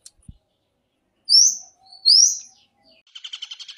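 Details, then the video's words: Long-tailed shrike song for training captive birds: two loud rising whistled slurs followed by a soft, rapid trill of repeated notes. "MASTERAN SUWARA BURUNG CENDET"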